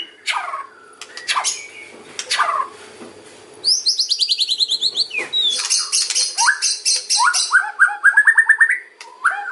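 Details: White-rumped shama singing in the kretekan and ocean style to draw in other birds: a few sliding whistles, then a fast rattling series of high notes, a dense trill and a run of quick repeated warbles.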